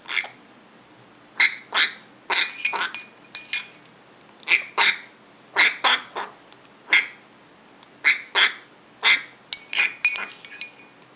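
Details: Eight-week-old captive African grey parrot chick begging during hand feeding in June 2012: rapid harsh raspy squawks, single and in quick pairs, coming about every half second to second.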